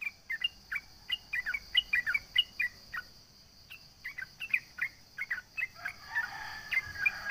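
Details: Sooty-headed bulbul singing to taunt rivals and spur other birds to answer: quick bursts of bright, slurred chirps in uneven runs, with a constant high droning buzz behind.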